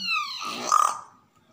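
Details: A pet common hill myna indoors gives a brief, harmonically rich voice-like sound, then a quick burst of laugh-like pulses, imitating human speech and laughter after being told to laugh.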